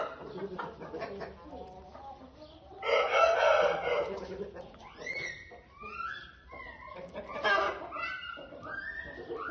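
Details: Wyandotte chickens in Pakistan: a loud raspy squawk lasting about a second, followed by a run of high, rising peeping notes, some murmured clucks and brief human speech.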